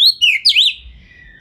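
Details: Short phrase from a fast-singing kacer, or Oriental magpie-robin, performing with spread tail as a lure for other birds; a bright whistle falls into twisting, slurred notes and then fades out.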